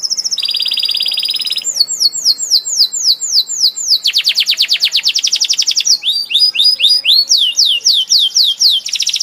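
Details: Canary singing loudly in a fast, varied song: a trill, then rapid runs of downward-sweeping whistled notes about four per second, a broad buzzy roll, and more sweeping phrases, all high-pitched and continuous.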